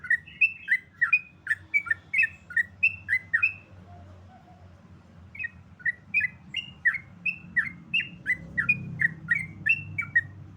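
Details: Rapid 'ropel' song of a sooty-headed bulbul: strings of clear, slurred whistled notes, fast and uneven, in two long phrases broken by a short gap. A faint low rumble sits in the background.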